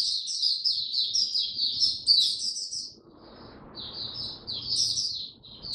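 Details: Caged oriental white-eye singing rapid high twittering phrases, pausing with soft hiss before a second burst of quick chirps, recorded during cold rainy weather.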